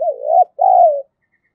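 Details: Spotted dove used as a decoy to provoke rivals into calling, 'giọng thổ' voice style. One mellow coo: a rising, wavering first note, a short pause, then a longer note slowly falling away.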